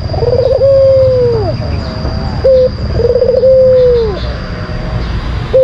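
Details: White collared dove singing a lure song. Two full phrases: a quick stutter of notes gliding into a long, even, low coo that drops at the end, with a short clipped note between them. A faint continuous high tone sits behind.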